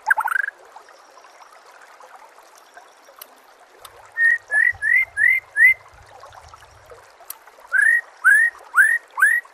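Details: Compiled masteran of white-rumped shama for training captive birds: after a lone sharp note and a quiet stretch with faint trickling water, two series of clear upslurred whistles, about five and four in a row, evenly spaced.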